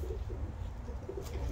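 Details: Racing homer pigeons, 2023 young birds from Belgian import parents, kept at a loft on a bright day, giving soft low cooing hoots repeated several times over a steady low rumble of background noise.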